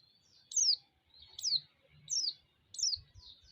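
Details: Four loud, shrill white-eye notes, each a fast high whistle slurring downward, spaced roughly 0.8 seconds apart, played as a lure to provoke other white-eyes. Quiet low knocks sound in the background.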